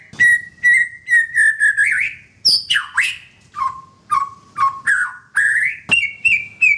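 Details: White-rumped shama in a cage, song used as therapy for a bird that has stopped singing: clear whistled notes repeated in short bursts, some dropping lower, others rising, with a soft low hum.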